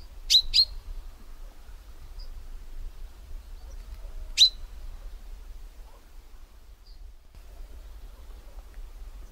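A common chaffinch gives three sharp, high, metallic call notes: a quick pair, then a single note four seconds later, over a low steady rumble.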